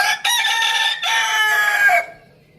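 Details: Rooster on a village farm crowing loudly: a short opening note, a brief break, then a long harmonic, slightly hoarse crow of about one second that ends abruptly, with faint background noise after.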